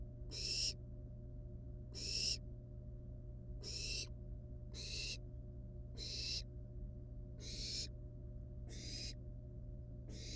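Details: Wild barn owl nestlings with a still-alive rat at their nest; a series of short harsh hissing screeches, around 37 a minute and unevenly spaced, over constant low-frequency hum.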